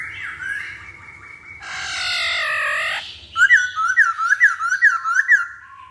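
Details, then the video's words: Masked laughingthrush lure song for prompting other birds: soft whistled notes, then a broad harsh squawk lasting over a second, followed by a rapid run of loud, sharp up-down whistled notes. "Pancingan Poksay Hongkong Paling Ampuh"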